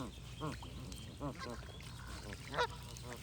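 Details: Several geese give nasal, slightly wavering honks about once every half second or so, a louder call near the end, with a low hum behind.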